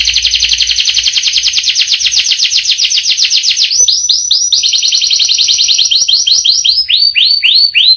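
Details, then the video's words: Canary in rich song: a long, rapid high roll of closely packed notes lasts about four seconds, then gives way to slower, separate sweeping whistles repeated several times a second. "Burung kenari gacor ngerol panjang"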